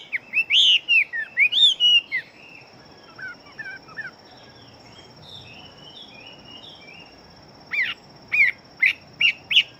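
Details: Fighting-type hwamei, singing very fast. Loud looping whistles open the song, then a long stretch of quieter warbled notes, and finally a run of sharp, evenly spaced whistled bursts. A steady high background tone is present.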